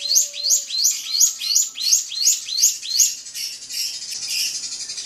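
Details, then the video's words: Drongo song aimed at a rival opens with evenly spaced high chirp phrases about three per second, then dissolves into harsher, noisier squawking sounds. "SRIGUNTING PANCING EMOSI LAWAN"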